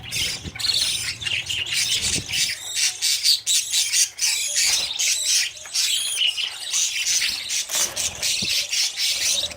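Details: Budgerigar babies chasing their parents for food after leaving the nest; busy, scratchy high chatter of many birds, nearly nonstop, with brief dips and some low knocking sounds early on.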